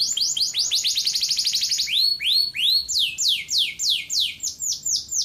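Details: Male domestic canary singing to teach young canaries to sing: rapid rolling trills of high, downward-sweeping whistled notes, first a fast tight series, then slower, broader swoops repeated about three times a second.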